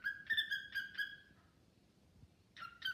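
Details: Caged pet cockatiel singing alongside a newly arrived bird: four quick whistled notes, then over a second of near silence with low room hum, then two more whistles at the end.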